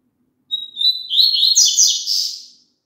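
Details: A double-collared seedeater sings a phrase meant to make a kept bird sing along. A faint, steady high whistle slides into a fast, scratchy cascade of warbled notes that fades out gradually.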